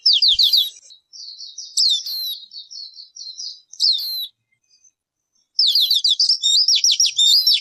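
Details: Bird calling: rapid high, sharp chirps in quick zigzag runs, then a thin buzzy trill, then two more bursts of fast twittering after a short silence; no other sounds.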